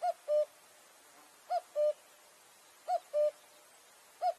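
A striped cuckoo gives clear, low two-note whistles, the first slightly higher, with each pair repeated about every one and a half seconds over quiet background hiss.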